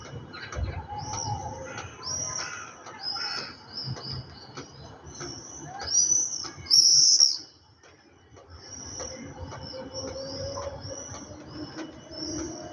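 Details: Birds at evening giving a steady series of short, high, arched chirps, closely repeated, with a louder burst near the middle and faint low rumble underneath.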